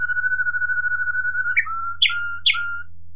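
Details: Waterslager Malinois canary, 2018, singing a long level whistled tone that gives way to short bubbling water-like notes alternating with brief steady whistles, over a constant low hum.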